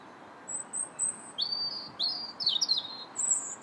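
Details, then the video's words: Winter song of a robin on 21 January: a soft high whistle, then a run of short, sliding, squeaky high phrases separated by brief pauses over a quiet background hiss. "Still the Robins Sing January 21st"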